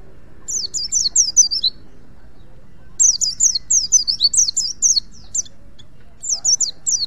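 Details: A wild-caught white-eye from Pacitan, used as a master song for training other white-eyes, sings quick, thin, high twittering phrases, each lasting a second or two with short pauses, over a faint low hum.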